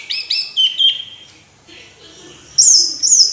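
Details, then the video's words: Orange-headed thrush song: a few bright stacked whistles and a level whistled note, a quiet gap, then two very high sweeping whistles. "Anis Merah Kicau Sampai Teler"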